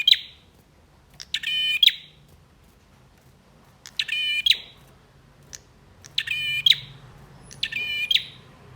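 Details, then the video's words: Male bar-winged prinia song meant to rouse birds that have stopped singing: four loud rattling, buzzy bursts with long pauses between, over a steady low rumble. "Prenjak Jantan Gacor Dor Full Emosi ‼️ 100% Ampuh Dongkrak Emosi Burung Macet Bunyi"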